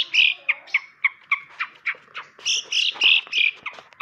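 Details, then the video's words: Cendet, the long-tailed shrike, pouring out rapid squawky chirps and sharp whistled notes in a fast, uneven string, some phrases louder and fuller, others clipped; a recording meant to teach other birds its sounds. "burung cendet pastol rawatan kawan belajar bunyi"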